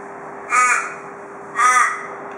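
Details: Two harsh, nasal caws about a second apart from an Australian raven visiting a porch in Perth, Australia, part of the "cock a doodle doo" call heard from Perth ravens, over a faint constant hum.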